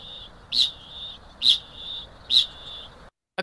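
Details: Male kakapo giving "ching" calls used to attract females: three sharp, high, metallic notes about one a second, over a faint steady high hum, ending in a brief click.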